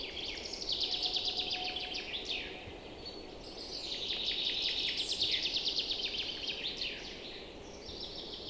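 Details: Chorus of newly arrived birds in early spring, on fine April days in forest and meadows beside a river freed of ice with rushing spring water; dense overlapping high trills and chirps with descending sweeps, steady background rush.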